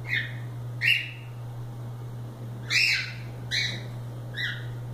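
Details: Free-flying cockatiels playing give five loud, harsh, downslurred squawks at irregular intervals over a steady low hum.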